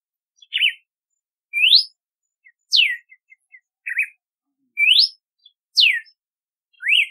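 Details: Red-cowled cardinal singing a lively run of whistled notes: wavering slurs, upward sweeps and sharply falling whistles in quick succession, with faint soft ticks between them.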